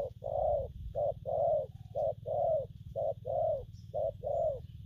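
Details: Spotted dove coos in gù phóng, kèm and gù lăn styles: alternating brief and long rounded hoots, the long ones swelling and fading, about one pair per second, over a strong low hum and faint high whine.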